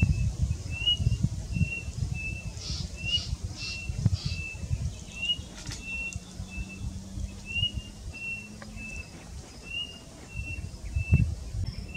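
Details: White-starred Robin singing at the Giraffe Centre in Nairobi, Kenya: a steady string of short, thin whistled notes, about two each second, over low rumbling wind noise.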